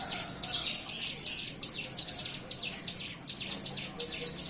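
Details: Young bar-winged prinia, hand-fed, now singing: a rapid, fairly steady series of high, sharp chirping notes, roughly three per second, with slight buzzy edges.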